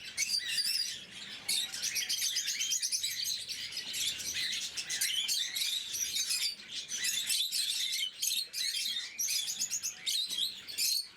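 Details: Pet lovebirds, blue mutation, at their morning feed: continuous high, scratchy twittering from several birds, fast repeated chirps layered together with only brief breaks.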